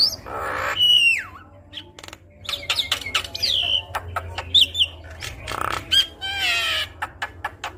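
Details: Javan myna in full varied song, played to prompt other mynas into singing: clear down-slurred whistles, a drawn-out falling note, clicks and buzzy rattles, harsh grating squawks between rising whistled phrases, and scattered sharp tick notes.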